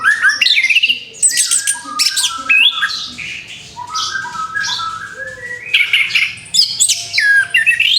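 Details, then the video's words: Freshly moulted orange-headed thrush singing a rich, varied song of loud whistled phrases, upslurs and chattering notes, with a quieter stretch midway before loud phrases resume. "TERAPI ANIS KEMBANG BARU LEPAS BULU, SIAP BUKA PARUH LAGI"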